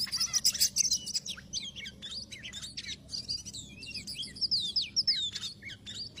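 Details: Oriental magpie-robin song played as a trapping lure: fast, varied whistled and buzzy phrases with sharp clicks and slurred notes, dense and continuous, a faint low hum beneath.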